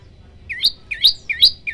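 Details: Bar-winged prinia song used as a tutor recording for training birds, in the 'tembakan' style: three sharp chirps, each a low hook rising into a bright high note, spaced about 0.4 seconds apart.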